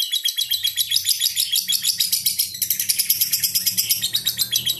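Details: Continuous high chattering trill from a lovebird labelled ambrol and mabung konslet, fast even pulses throughout, with a soft low rumble in the background.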